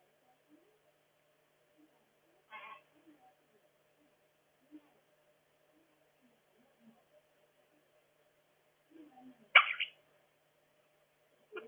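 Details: Quaker parrot chiming in while its owner talks, explaining that everything is okay; two short, harsh, scratchy squawks, one early and a louder one later, over a near-silent background with faint low speech.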